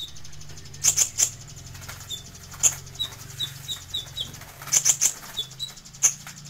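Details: Kolibri ninja sunbird song used as tutor material: clusters of piercing high chirps alternate with a string of softer, lower thin twittering notes, with a steady low hum beneath.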